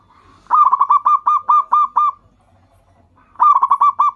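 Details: Zebra dove of local stock, singing actively as a caller to draw responses from other perkutut: a quick run of staccato coos slowing into evenly spaced, ringing notes, then a fresh rapid burst after a short pause.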